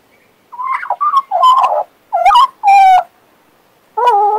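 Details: Pet Western Australian magpie, a male, warbling and whistling: separate fluty, harmonic notes and short slurred phrases in bursts under a second long, with gaps between them and a longer pause before a final clear note.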